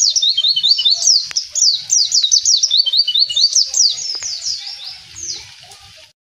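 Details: In its natural habitat, a mountain white-eye delivers a lively 'gacor ngalas' song of quick, high-pitched zigzagging chirps in a continuous chatter that tapers off in the last seconds.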